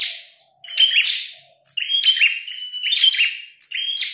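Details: Red-headed prinia singing hard while fighting, a soft low buzz at the start, then bursts of rapid, sharp, ringing chirps forming two long phrases broken by a brief pause.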